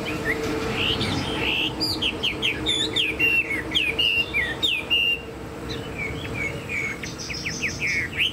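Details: Caged Chinese hwamei with a fanned tail and tall stance, kept as a songbird. It sings loud whistled phrases of rising and falling slurred notes in quick varied bursts. A steady low hum runs underneath.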